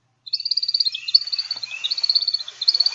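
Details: An American Woodcock's flight display: high, rapid non-vocal twittering produced by specialized primary flight feathers, coming in quick chittering bursts about every second.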